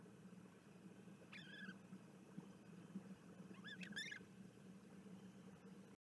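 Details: Recorded 06 04 2021, Bermuda petrels utter two short groups of nasal, warbling calls with bright overtones, the second faster and more tangled, over a steady background hum.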